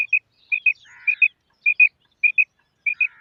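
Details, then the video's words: Female quail giving various calls: sharp, high paired notes repeated in couplets roughly every half second, with a softer buzzy note between them, on a quiet background. "Female Batair Sound / مادہ بٹیر کی مختلف قسم کی کرک"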